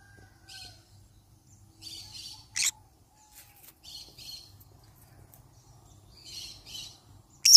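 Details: Yellow-sided conure parrot making soft, raspy chattering notes in short bursts, broken by a sharp harsh squawk near the middle and another at the very end.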